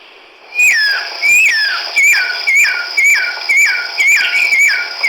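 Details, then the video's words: Chestnut-backed laughingthrush, a resident breeder, recorded 17 March 2010 in Hukaung Valley Wildlife Sanctuary, Kachin State, Myanmar, gives loud, ringing whistled phrases that swoop down then rise, about twice a second, over a steady high hiss. "Chestnut-backed Laughingthrush ၏ သာယာသောအသံ"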